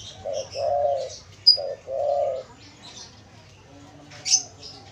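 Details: Spotted dove calling as a lure for wild doves: two soft, low cooing phrases, each a brief note followed by a longer drawn-out coo, with sharp high chirps of small birds over the top.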